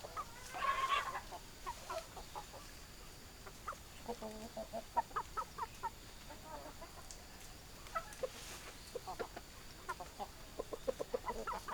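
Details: Hens and roosters, a farm flock: a steady stream of short, throaty clucks at irregular intervals, several birds overlapping, with a louder raspy squawk near the start and a quiet steady hum underneath.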